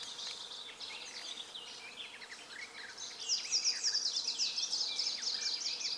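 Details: Greenish warbler in Poland, 3 June 2016, delivers a fast, high, jingling burst of thin slurred notes that grows louder halfway through, over softer high twittering in the background.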